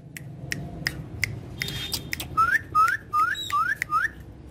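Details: Tame Alexandrine parakeets at play with toys; a few soft clicks, then five short rising whistled notes in quick succession, each sliding upward, with low room hum behind.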